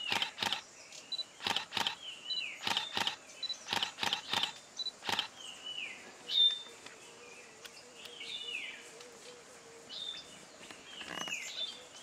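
Grey-headed bulbul giving short, high, metallic notes that slide downward, scattered irregularly; loud sharp clicks crowd the first five seconds, with a faint steady hum beneath.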